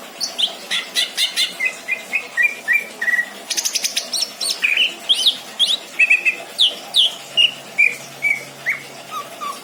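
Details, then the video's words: Caged greater green leafbird kept as a pet at a home in Indramayu, singing a rich song with varied fill. Quick sequences of clear whistled notes, some sliding downward, mixed with short buzzy bursts and sharp chirps, repeated in a steady flow. "burung cucak ijo isian mantap!!!"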